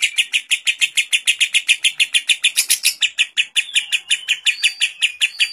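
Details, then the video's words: A training recording of a lovebird with kapas tembak fill-in, chattering a long ngekek: around thirty quick, harsh, buzzy notes in a regular train, a few thin whistles laid over the end. "Masteran burung lovebird isian kapas tembak"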